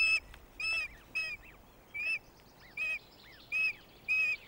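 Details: Female osprey fish-calling at her nest at Loch of the Lowes on 19 May 2022, around 18.25, as her mate arrives with a fish for their newly hatched first chick: loud, clear, high whistled yelps, seven in quick succession.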